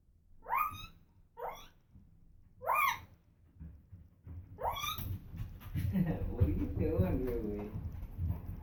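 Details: Female African grey parrot kept as a pet, making noises: three quick rising harmonic whoops, then a louder run of rough, speech-like chatter with low rumbling background.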